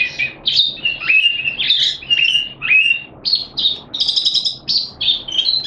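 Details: A happy Malaysian Oriental white-eye sings with open beak in a special song display on 25 February 2023: a rapid, continuous run of high, thin chirps and warbled notes, several per second.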